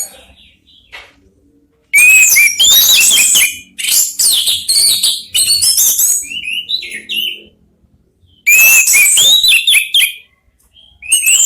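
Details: Orange-headed thrushes, three birds, sing back and forth at each other as a lure song. Dense, high, varied whistling and chattering phrases come in several loud bursts with brief pauses between them.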